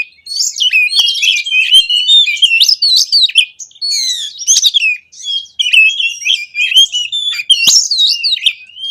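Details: Lure song of an oriental magpie-robin, played so that other magpie-robins reply: a long, energetic run of shrill whistles, trills and quick slurred phrases, with short pauses between bursts.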